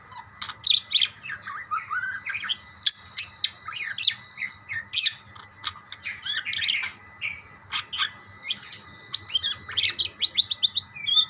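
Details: A lively exchange of budgerigar calls, with continuous high chirps, slurred warbling notes and sharp tweets tumbling over one another throughout, plus a faint low hum.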